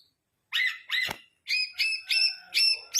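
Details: Long-tailed shrike in lively song with mimicked phrases, used to tutor competition songbirds: a string of clear, ringing, bell-like notes repeated about twice a second, each note with a quick upward flick.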